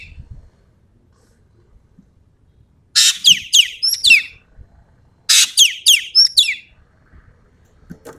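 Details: Lively common green magpie from Sumatra delivering two loud phrases about two seconds apart, each opening with a harsh rasp and running into several shrill descending whistles, quiet background between them.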